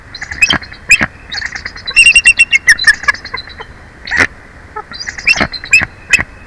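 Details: At the Big Bear Valley nest, a bald eagle gives repeated high squealing chitters during a changeover between adults, with a long run of quick piping notes near the middle and scattered sharp single squeaks before and after.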